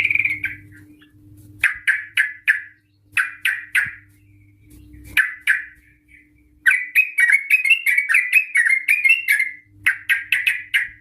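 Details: Female Yellow-vented Bulbul lure recording: spaced clusters of sharp chirps, then a lengthy fast rolling 'ropel' chatter, over a faint steady electrical hum.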